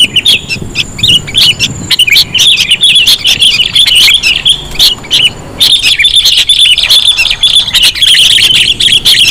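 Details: Sooty-headed bulbul lure sound, called very sensitive: sustained high twittering chirps with fast repeated notes, a brief lull near six seconds, then renewed dense chatter.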